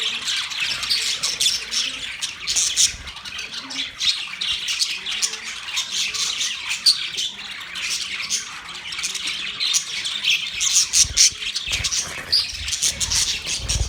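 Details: Budgerigars chirping on November 19, 2023: a steady flock chatter of high, rasping chirps and squeaky squawks overlapping for the whole stretch, with a few louder peaks toward the end.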